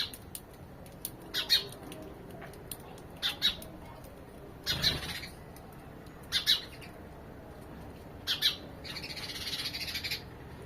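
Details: House sparrow chirps: single and doubled bright notes spaced about every one and a half to two seconds, with a noisier rustling burst near the end.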